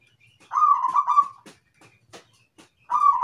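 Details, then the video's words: Zebra dove, a local Indonesian perkutut, singing a short rolling coo of rapid stuttered notes that ends in a drawn-out tone. A second phrase begins about two and a half seconds later, with sharp clicks in the gap between. "PERKUTUT IRAMA - GACOR"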